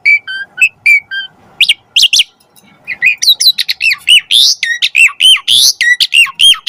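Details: Asian pied starling in full song for training: varied sharp whistles and chattering notes, starting in short spaced phrases, then speeding into a dense, rapid run of loud looping whistles.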